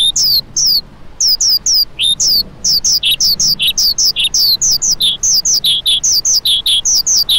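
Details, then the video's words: Clear, descending chirps from a lark, given in quick succession after a few hesitant opening notes, settling into a fast, even repeated pattern. "Lark Calling Sound"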